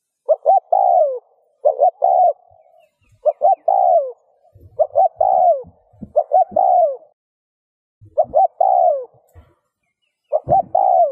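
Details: Spotted dove repeating its coo to excite other doves into calling: steady phrases of two brief notes and a longer descending coo, about seven phrases, with faint low knocks in the background.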